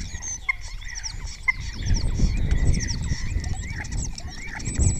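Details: Spotless starling singing close to the camera in Cabañeros National Park, Spain, during the deer rut, chattering a busy stream of high whistles, slurred notes and clicks; other starlings answer; repertoire includes imitations of orioles and kites; low wind rumble.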